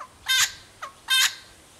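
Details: A Little wattlebird in Sydney gives its characteristic call, two harsh, scratchy croaks about a second apart with a brief softer falling note between them; background otherwise quiet.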